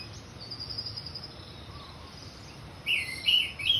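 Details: Orange-headed thrush in the open 'ngeplong' song style: soft, thin, sustained whistling at first, then a closing burst of loud, clear, slurred whistles near the end.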